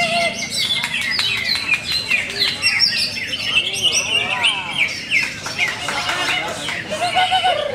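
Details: Greater green leafbird with many competition wins, singing a dense, rapid run of chirps, whistled slurs and buzzy trills high in pitch, phrases tumbling over one another with hardly a pause.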